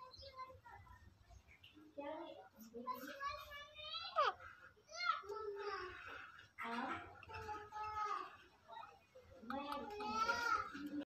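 A ringneck parakeet chatters in a high, childlike voice, running speech-like phrases with brief pauses over about ten seconds in a quiet room.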